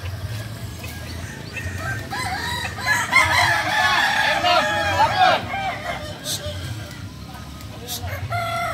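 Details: Kukuak balenggek chickens crowing during a contest practice session: a loud, dense burst of overlapping warbled crows in the middle, then fading, with a constant low drone and distant chatter behind.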